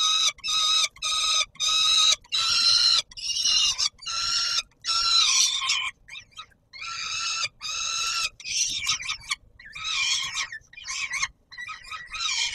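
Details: Peregrine falcon at the Palace of Culture and Science in Warsaw, 17 July 2022, at feeding time: a long run of hoarse, strident cries, each about half a second to a second, separated by short silent breaks.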